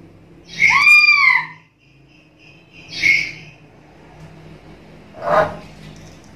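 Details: Chatty black-capped lory in captivity: one long arched harmonic call lasting nearly a second, a short nasal note, then a brief harsh squawk after a pause; faint background hum.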